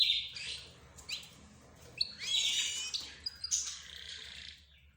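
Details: Pet birds, namely budgerigars, zebra finches and canaries, produce a run of buzzy, high chatter with brief whistled notes. Short squeaky peaks punctuate a steady twitter.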